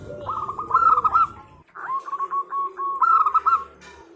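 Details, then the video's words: Female zebra dove calls the male in two phrases separated by a short silence, each a chain of quick, rolling coo notes with a louder, brighter middle, over a steady low hum. "Suara Perkutut Betina Memanggil Jantan"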